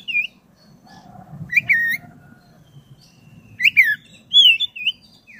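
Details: Oriental magpie-robin of the black-breasted variety singing vigorously as a lure for caged birds: short bursts of looping, slurred whistles with sharp clicks, separated by quiet gaps, over a faint low hum.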